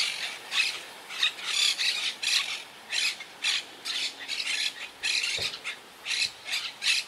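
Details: Wild Quaker parakeets high in colony trees, regrouping after hurricane Irma in 2017, give scratchy, strident squawks in a string of separate bursts with brief silences between them. A faint low thump sounds near the end.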